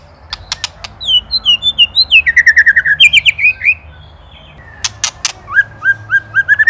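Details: White-rumped shama from Indonesia, ketrekan song kept as a master for training songbirds; clicks, descending whistles, a fast chattering run of repeated notes, then more clicks and a rising series of short whistles.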